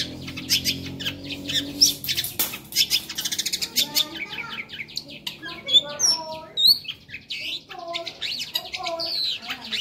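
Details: Long-tailed shrike giving a lively, chattering song with varied fill-ins: dense harsh scratchy bursts mixed with thin high whistles and short rapid trills, with some lower warbled notes midway and a few sharp high squeaks.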